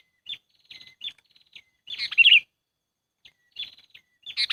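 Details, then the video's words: Trapping lure call of a sooty-headed bulbul: soft scattered chips build to one loud, warbling burst of tumbling notes, then quiet thin notes and the start of another burst. "SUARA PIKAT BURUNG KUTILANG AMPUH"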